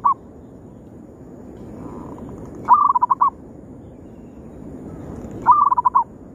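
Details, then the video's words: Lure calls of a local zebra dove for attracting rivals: stuttering coo phrases, a held note then five quick choppy coos, repeating about every three seconds, with a faint fragment at the start and low background rumble. "suara pikat paling ampuh memanggil lawan"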